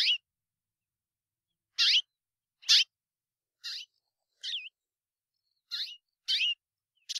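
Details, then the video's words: Song variant of the White-bellied Seedeater (patativa-chorona), one of five distinct song types: brief high chirped phrases with quick swoops, delivered in irregular spaced bursts over clean silence. "vamos ver os cinco cantos diferentes da Patativa Chorona"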